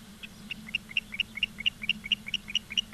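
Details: Osprey at Charlo, Montana, 15 August 2023, 16:06, on a live wildlife cam: sharp, piercing whistled chirps repeated quickly and evenly, each slightly rising, with a constant low electrical hum beneath.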